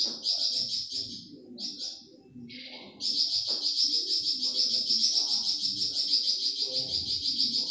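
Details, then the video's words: Flamboyan bird song meant for tutoring caged songbirds: short high trilled bursts, then an unbroken, fast, buzzy trill running for several seconds, over soft low background noise. "Tembakan Burung flamboyan"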